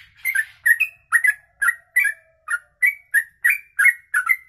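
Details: Yellow-vented bulbul delivering 'ropelan' song suited for tutoring other birds: quick paired whistled chirps, bright and slurred, repeated about three times a second with short gaps between.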